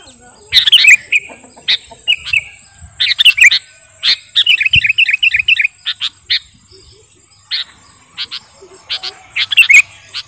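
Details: 'Garuda' sooty-headed bulbul in master song for training or luring birds: scattered chirps and short warbled phrases with long gaps, one quick rattling series, over a constant high insect-like buzz.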